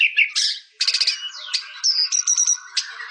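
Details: Short burst of white-rumped shama song: harsh buzzy notes, pulsed chatter and a high ringing whistle in quick succession.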